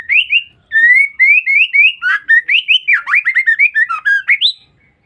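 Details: Female white-rumped shama giving a call used to provoke males. Rapid, continuous run of rising whistled notes, some slurred down, about twenty in five seconds.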